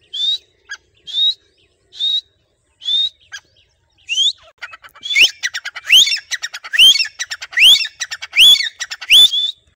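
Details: Tame captive grey francolin (teetar), trained to start calling when its owner whistles. Several short clear whistled notes open, then loud, shrill, harsh calls with sharply rising sweeps, repeated about every half second in a fast excited series.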